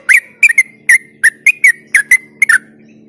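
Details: Close, loud yellow-vented bulbul phrases used as a lure for other bulbuls: chuckling bubbly notes, some doubled, each ending in a short level whistle, about three per second over a faint hum.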